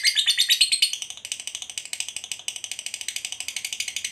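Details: Lovebird performing the Indonesian 'ngekek panjang' long chatter: a continuous, rapid string of rasping, high-pitched chattering notes, about eight per second, with one brief break in rhythm near the start.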